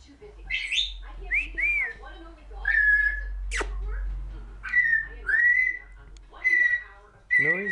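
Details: A noisy female African grey parrot gives a run of clear whistles, some rising and some held level, mixed with short rough squawks and clicks in a small room.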